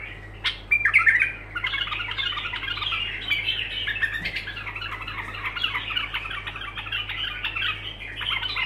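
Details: Bulbul's unbroken song: a loud opening burst followed by a dense, nonstop chatter of scratchy warbled notes for several seconds, with a constant low hum beneath.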